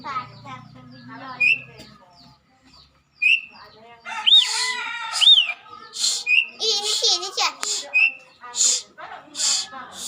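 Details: Asian pied starling singing, a species said to sing at any hour and especially when people are nearby; a varied run of short chirps, arched whistles and loud harsh bursts that grows busier and louder after a brief pause.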